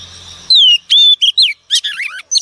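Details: Wild-caught female Oriental magpie-robin singing to stimulate male birds. Loud, clear whistles slide downward and wobble, mixed with buzzy chirps in a fast, varied phrase after a quiet humming start.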